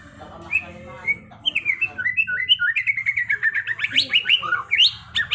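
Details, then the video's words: White-rumped shama delivering a trontolan ngerol song: a few whistled upslurs build into a fast rolling stream of short, sharp notes, several per second, closing with high rising whistles over a low hum. "Masteran Murai Batu TRONTOLAN NGEROLLLLLLL Edan!! GACOR X Roll"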